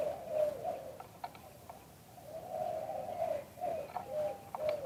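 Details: Spotted dove delivering auspicious liw tan cooing, recorded live: soft hollow coos in rolling phrases, a pause mid-clip, then more coos, with faint clicking sounds between notes.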